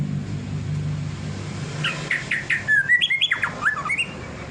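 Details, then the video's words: Ngelowo-style song of a white-rumped shama. Several short repeated whistles lead into a rapid string of bright, warbled and slurred notes that rise and fall, with low traffic or engine rumble in the background early on. "Burung murai bunyi ngelowo"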